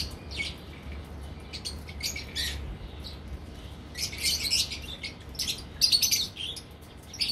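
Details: Lovebirds (Agapornis) of parblue and opaline colouring in a breeding colony, giving shrill squawks and chirps in scattered bursts, thickest in the second half, over a steady low hum.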